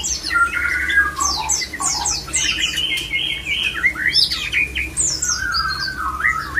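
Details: A male white-rumped shama sings to bring other shamas into breeding readiness; long level whistles alternate with quick descending slurs and bright chirps, phrases overlapping in a lively, unbroken stream above a soft hum.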